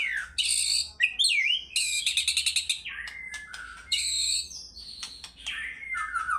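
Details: White-rumped shama in fighter-style singing, loud and varied: bright whistled notes and sweeping glides between 2 and 8k, bursts of rapid stuttering repeats, dense clear phrases with little background.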